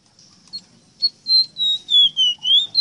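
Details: Short Ruddy-breasted seedeater (rosita) song burst from a tutor recording for captive birds: a string of about six clear, pure whistles that dip lower, then rise sharply at the end.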